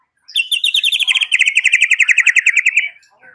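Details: Lure recording of white-rumped shama: a long, fast, even trill of sharp repeated whistled notes lasting over two seconds, drifting slightly lower, then a faint trailing note.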